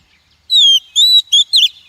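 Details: Female Oriental magpie-robin calling to stimulate and train wild males and draw them to traps: a long descending whistle, a level whistle, a short note and a final harsh buzzy flourish, all within about one second.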